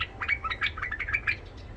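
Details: Tame Iraqi white-eared bulbul with a rough, golden-throated voice, singing to tutor young bulbuls: a short run of quick warbled notes, each slurring up or down, over a low steady hum.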